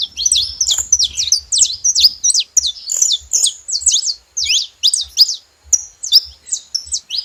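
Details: Saffron finch noisy at a feeder in Brazil: rhythmic bursts of high, sharp chirping notes in quick clusters, separated by brief gaps, continuing throughout.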